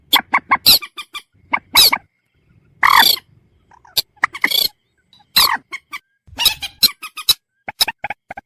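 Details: Common moorhen giving scattered quick clucks, a drawn-out harsh squawk, and more clusters of loud chattering notes.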